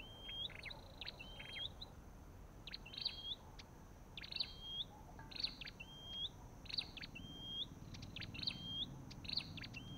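Olive-backed tailorbird giving sharp, high, clipped notes with a quick upward flick, repeated about once a second, over a faint low rumble.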